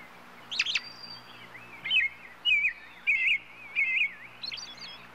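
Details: European robin song. A sharp, high flourish opens the run, followed by a series of fluid, wavering warbled phrases spaced under a second apart, ending in thin scattered twitters. Steady faint background noise and a low hum are also present.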